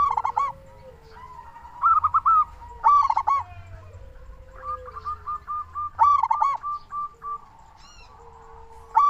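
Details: Local zebra dove calling energetically, used as a lure to get other doves calling: short staccato cooing notes in clusters, several bursts with pauses between them, and a faint low hum behind.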